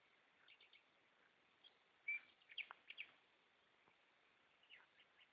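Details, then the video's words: Goldfinches singing at night, a jumble of clipped twittering notes with one louder whistled chirp and several quick slurred calls, then softer scattered chirps toward the end. "Goldfinches singing"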